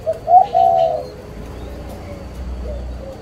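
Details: A spotted dove (chim cu) parent bird, 11 June 2023, utters a short low coo followed at once by a longer warbled coo, then quiet with faint distant coos and a low rumble.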